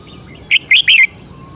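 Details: Caged red-whiskered bulbul showing its distinctive song phrasing: three short, rich warbled notes in quick succession, each bending up and down, over a soft steady background hiss.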